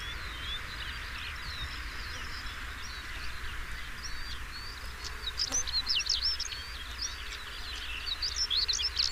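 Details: European stonechat song: a dense run of short, scratchy, high chirping notes that grows busier and louder in the second half, over a steady low hum and faint background noise.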